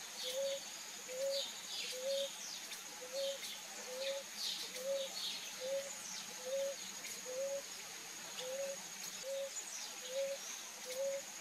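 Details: A ruddy ground dove bathing in Brazil gives short, low, soft coos repeated steadily about every three-quarters of a second, over a steady insect whine and scattered high chirps of other birds.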